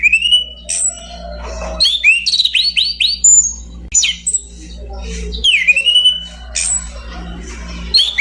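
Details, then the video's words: Orange-banded thrush singing a varied song of clear whistled notes, upslurred and downslurred phrases with rapid chirpy passages, broken by short pauses; a steady low hum underlies it throughout. "kicau burung anis cendana"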